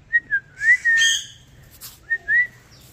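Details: Indian ringneck parrot in blue colouring, presented as talking, gives short clear whistles, then a longer wavering whistle with a brief buzzy burst, a pause with faint clicks, and two more rising whistled notes.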